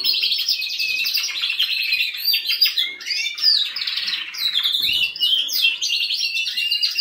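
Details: Sustained canary song with dense rolling trills and chattering phrases that rise and fall, broken by short pauses and a faint thump near the five-second mark.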